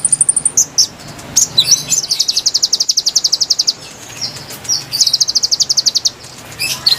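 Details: Konin song used to lure wild birds: high, thin trilled series of rapid chirps repeated several times, each burst a quick run of evenly spaced notes, with brief sharp chips between bursts; no other clear sounds.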